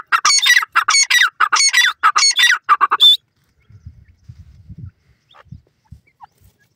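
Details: Grey francolin (dakhni teetar) calling in a fast, loud series of harsh, ringing notes, about eight bursts in three seconds, rising and falling in pitch, ending in one high note. Faint low rustling and knocking sounds follow.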